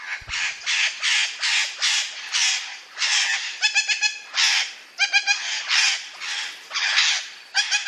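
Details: Indian ringneck parrot calling in a natural setting: harsh, raspy squawks repeated in quick bursts about twice a second, some notes with a rattling, stuttered texture, steady and loud throughout.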